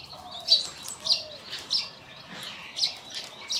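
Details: Scale-breasted munia in Assam, northeast India, in March 2025, giving thin, high, piping call notes about every half second to second, somewhat irregular, over a faint low background hum.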